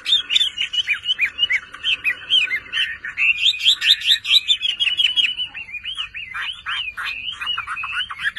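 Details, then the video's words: A captive pet Chinese hwamei sings a loud, rich stream of rapid whistled phrases, looping and slurring up and down without pause, with faint clicks behind. "HỌA MI CỦA AI MÀ HÓT QUÁ ĐỈNH ANH EM ƠI"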